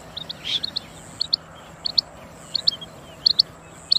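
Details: Calls of a female quail: crisp, high paired chips, sometimes in threes, given in bursts roughly every half second to second over a quiet background with a thin steady high whine.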